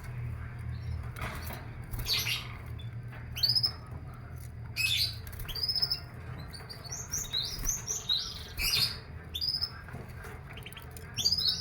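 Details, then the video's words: Canary put out for morning sunning, between eight and ten o'clock, so it sings more and stays healthy; short high chirps and squeaky notes come in scattered clusters, some paired, with brief pauses between, over faint background noise. "Jemur Burung Kenari"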